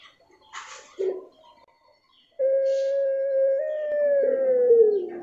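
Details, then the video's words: Puter pelung dove song with a distinctive character: a few brief noisy sounds at first, then a long, smooth, steady tone that rises slightly and falls away at the end. "9 Puter Pelung, suara dan karakter berbeda"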